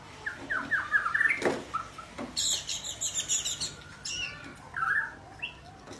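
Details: Young white-rumped shama practising its song: a quick run of chirpy mid-pitched notes, a brief burst of high, thin twittering, then a few scattered short notes over faint background hiss.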